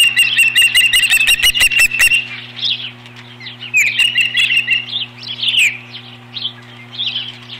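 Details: Nest-defending osprey chasing off an intruder, 21 April 2015. A loud, rapid run of harsh whistled notes, roughly ten in two seconds, followed by quieter, irregular upslurred chirps. A low mechanical hum is present throughout.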